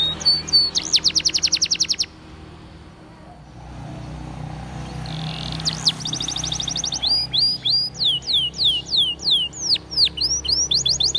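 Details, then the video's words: Belgian canary song for training: fast rolling trills of rapid repeated notes, then a run of sweeping up-and-down whistles, bright and high-pitched. "Belgian Canary Sound For Training"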